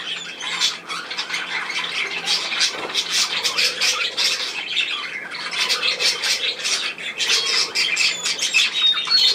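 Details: Budgerigars recorded 10 June 2024 giving a steady stream of harsh, scratchy squawks and clicks, many birds overlapping, with faint high whistles toward the end.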